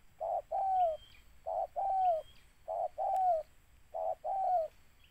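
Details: Spotted dove, the quarry of a luring outing, steadily repeating four two-note coo phrases, each a clipped hoarse syllable then a drawn falling coo, about one second apart, a single sharp click and faint high whistles in the background.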